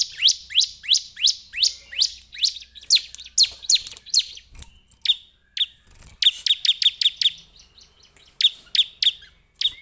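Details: A bar-winged prinia, called ciblek in Java, pours out runs of bright descending chirps. Rapid bursts alternate with sparser single notes and brief gaps over about ten seconds.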